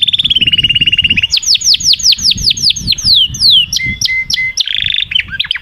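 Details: Canary song opening with a fast even trill, followed by a run of loud downswept whistles about four per second, brief flat notes and a closing buzzy roll.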